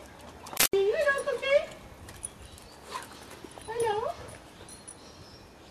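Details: White cockatoo imitating dog barking while watching dogs: two wavering, tonal bark-like calls that rise and fall, near one and four seconds, with a sharp click just before the first and faint background hiss.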